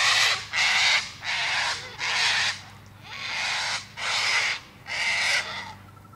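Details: Cockatoo screeching repeatedly, seven harsh raucous bursts over six seconds at an uneven pace, with faint background hum.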